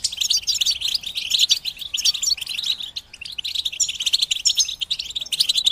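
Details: Several European goldfinches singing at once, a group song for goldfinches in moult; steady stream of high, rapid twittering, jingling phrases and thin whistled notes.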